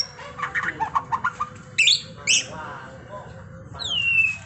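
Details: Caged white-rumped shama (murai batu) in masteran training, delivering a rapid series of short chattering notes, then two sharp high upward sweeps and a long clear descending whistle.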